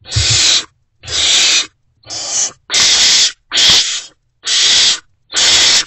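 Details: Great horned owl owlets in a nest box at dawn, 3 March 2024, still hungry on an adult's return, give seven rough, hissing screeches at a brisk, fairly even pace with short silences between.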